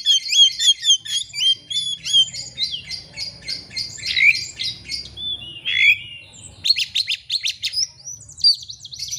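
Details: Oriental magpie-robin singing to challenge a rival, used as a lure to draw out another bird's full repertoire: rapid sequence of sweet whistled notes, short trills and sharp chirps, high-pitched and varied, with brief pauses and faint low background rumble.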